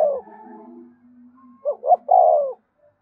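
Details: A spotted dove in 'gáy thúc' song, played for captive birds to call along. A falling coo is overlapped by a low steady tone, then two short rising coos lead into a long descending coo.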